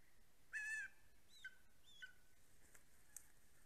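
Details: Greater spotted eagle (Clanga clanga) at a snowy nest in Estonia, part of a pair, 14 April 2020, gives one loud, high, slightly falling yelp, then two fainter short yelps about half a second apart, over a quiet background hiss.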